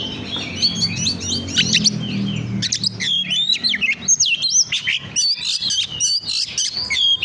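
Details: Oriental magpie-robin singing, recorded as a lure for other birds: a rich run of sweet whistles and quick twittering notes, clipped and rhythmic in the second half, with a faint low rumble early on.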